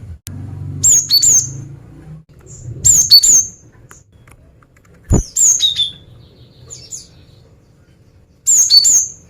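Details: Female cinereous tit luring males with four phrases of paired, very high whistled notes, each dipping in pitch, spaced two to three seconds apart. One sharp click sounds midway. Faint hum throughout.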